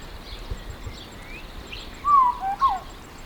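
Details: Song of a Sao Tome Oriole (Oriolus crassirostris): after quiet background hiss, a rich liquid whistle with a falling slur, a brief pause, then a shorter whistled note ending the phrase.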